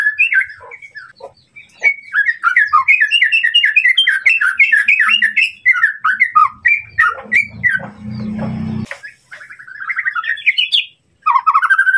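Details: White-rumped shama singing to provoke an opponent: a steady stream of quick, bouncing whistled notes, a loud rushing noise near the end, then a rising trilled flourish.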